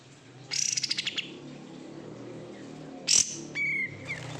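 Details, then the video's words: Oriental white-eye (kapas tembak), a cared-for bird from bulk-caught stock, gives a quick, high, pulsing trill, then a loud sharp chip and a short series of thin rising notes ending in a clear whistle. "menikmati suara kapas tembak KG"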